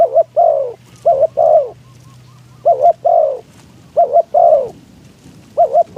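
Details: Wild doves being lured by a calling decoy spotted dove in strong wind: repeated coos, a doubled short note and a longer sliding croo, five phrases with a low drone early on.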